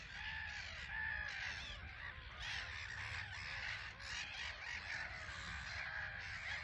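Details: Many black-headed gulls on an island at Frampton Marsh nature reserve, birds coming and going; a loud, thick din of rasping, squealing calls with repeated sharp cries standing out above the chorus.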